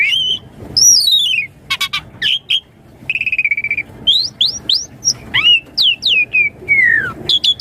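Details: Asian pied starling in full varied song, played as a lure to prompt young birds to answer quickly: bright whistled downslurs and upslurs, a rapid buzzy rattle, sharp clicks and short rising notes repeated in quick succession, slightly noisy background.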